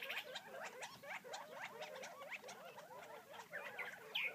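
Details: Feeding wild Gambel's quail near Florence, Arizona produce rhythmic soft clucks repeated several times a second, overlapping into a low chattering murmur with an occasional sharper high note.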